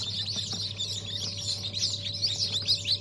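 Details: Newly hatched Brahma chicks, the year's first hatch on 14 January 2023, give a dense chorus of high, shrill peeps overlapping continuously, over a steady low machine hum.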